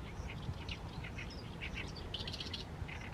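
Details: In mid-May an Oriental reed warbler keeps singing at sunset in a fallow field, delivering rapid grating chirps and creaky notes in short bursts against constant low-pitched ambient hum.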